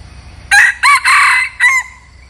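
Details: Red junglefowl used as a decoy to attract wild junglefowl gives a full crow: a hoarse opening note, a second burst, a long ringing middle phrase and a clipped falling ending, with little else audible.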